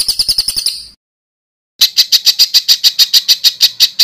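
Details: Master recording for tutoring competition birds: rapid chattering that fades into silence, then a steady series of loud, sharp chirps at about four per second.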